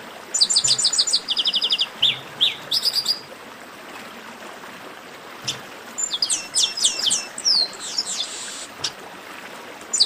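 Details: Racket-style 'baderna' chorus of chestnut-capped blackbirds meant to stir singing birds: quick runs of sharp repeated chirps, rising whistles and bursts of high buzzy notes, pausing midway before resuming, over steady background hiss.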